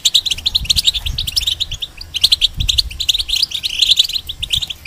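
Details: Caged European goldfinch, a moulting bird, singing as a tutor for young hybrids: a dense, fast twittering of bright, liquid chirps and trills running without pause, with soft low thumps beneath.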